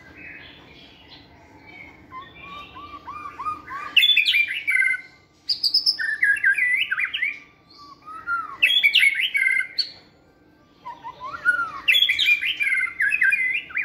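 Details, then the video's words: White-rumped shama in a flight cage, singing vigorously during stamina training: a soft trilled lead-in, then loud bursts of rich, varied whistled and chattering phrases separated by short pauses. "Giọng chòe lửa hót rực rỡ đầy năng lượng"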